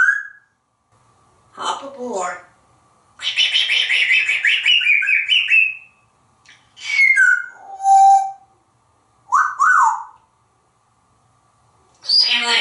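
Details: Pet African grey parrot, a male hatched in 1997 living indoors in Texas, perched on his glass castle. Speech-like phrases mix with clear whistles: a long wavering whistled run, then short falling and rising whistled notes.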